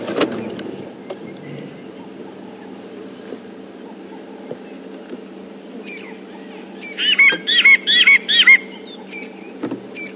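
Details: Burchell's glossy starling, heard on a morning safari drive in South Africa on 21 March, gives a quick burst of about six harsh, nasal, gurgling notes over a steady vehicle engine hum.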